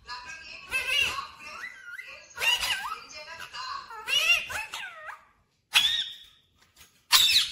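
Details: Talking parrot mimicking words in a clear voice indoors: rough speech-like phrases with wavering tonal slurs over about five seconds, then a pause and two loud sharp squawks.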